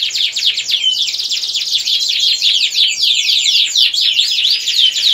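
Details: Domestic canary 'ngerek' song for prompting females to breed: a thick, unbroken stream of rapid high trills and sweeping notes, with several clear whistled slurs woven through.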